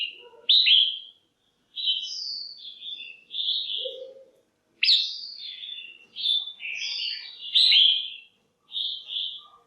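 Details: Red-whiskered bulbul female, caged, calling to draw males or for pairing: nearly continuous bright whistled phrases with high slurred notes and loud sharp onsets, plus a short low murmur early on.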